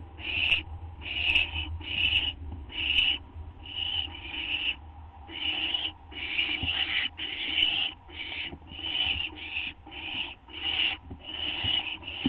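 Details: Owl being given a treat at 2:16 AM, August 30, 2011: a steady run of rough, hissing rasps, slightly over one per second, some overlapping, with low background hum.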